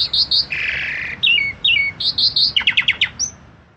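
An Asian pied starling sings a varied jumble: high whistles, a harsh buzzy note, slurred descending phrases, then a quick run of sharp chips ending in a whistle.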